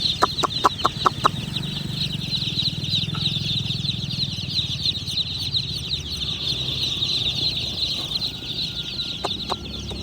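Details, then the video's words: Tiny black-and-white chicks being caught give a quick burst of sharp, high peeps at the start, then scattered single cheeps over a steady hiss and low rumble. "Tiny Black & White Chicks Making Funny Noises!"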